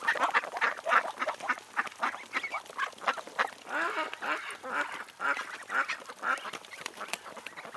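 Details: Wild ducks quack in a busy, overlapping chorus, with harsh nasal quacks tumbling over one another about twice a second.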